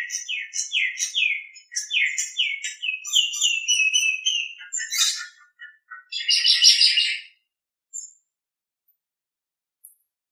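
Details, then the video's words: Nias hill myna song from a master recording for training other birds: a string of clear upslurred whistles repeated about twice a second, then a harsh squawking burst and a few isolated notes. "Masteran Suara Jalak Nias"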